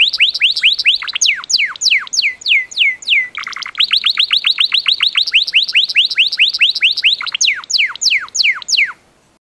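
A Gloster canary sings rolling tours of quick, high, downward-sweeping whistles, several per second. A brief buzzy rattle breaks in midway. No other sounds are heard.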